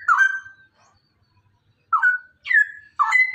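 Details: Rapid 'ropel' song of a DNA-sexed male straw-headed bulbul, played to train other birds: a rich whistled phrase, a pause of over a second, then three more swooping whistles in quick succession.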